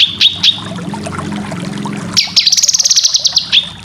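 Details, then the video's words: Cucak kinoy song for training competition birds: sharp high chirps, then a fast run of bright buzzy notes repeated about eight times a second, over a steady low hum. "Masteran full besetan cucak kinoy cocok untuk burung lomba"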